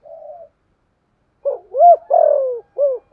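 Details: Decoy spotted dove cooing to lure wild doves: a soft murmured note, a pause, then a short coo, a rising arched coo, a long descending drawn note and a final arched coo.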